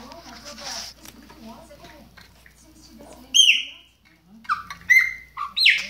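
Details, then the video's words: Low murmuring voices come first, then a chopi blackbird breaks in with a few loud downslurred whistles and squawky notes in the closing seconds, Baianinho-style song. "BAIANINHO PÁSSARO PRETO SHOW"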